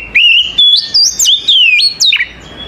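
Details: An Oriental magpie-robin sings in the morning, a close, loud phrase of pure whistles that climb, leap up, then drop down, delivered in quick connected notes.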